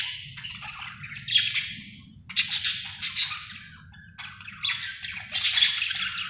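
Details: A happy budgerigar chirps in separate rapid bursts of scratchy, squeaky warbles, each lasting about a second, with brief pauses between them and a faint low hum underneath.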